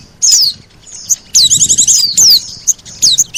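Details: Oriental white-eye lure call, mixed with sogon sounds: high sliding whistles broken by a short burst of rapid buzzy trilling, then more falling whistles.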